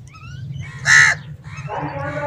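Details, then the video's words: Crow calling while crows fight over food; a single loud, harsh caw near the middle, with broad rasping tone, over low background rumble and faint bird notes before and after. "Crow Sounds | Kauwy Ki Awaz | Kauwa Bol Raha Hai | Crow Sounds Loud"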